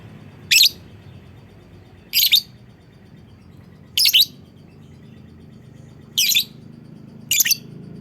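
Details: Lovebird calling to set off other lovebirds: five shrill, harsh chirps, each a brief doubled burst, spaced roughly every one and a half to two seconds over a quiet background hum.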